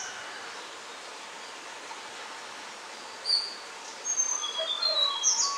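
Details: Tickell's blue flycatcher, alert one hop from its shelter, giving thin, high metallic notes and short twittering phrases in quick bursts after a quiet start, over a steady background hiss.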